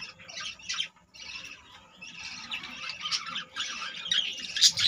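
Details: Dense high chatter from a budgerigar breeding colony where around 25 babies have been born; continuous overlapping chirps, squeaks and scratchy squawks, briefly pausing near the start before swelling again.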